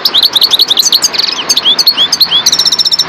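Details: European goldfinch of the subspecies parva singing a fast, bright twitter of high metallic chirps and short rising slurred notes, with rapid buzzy trills near the end, rhythmic and continuous, against light background hiss.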